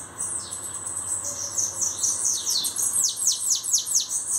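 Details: A bananaquit sings a thin, high buzzy opening followed by a rhythmic series of sharp downward-swept squeaks, accelerating slightly toward the end.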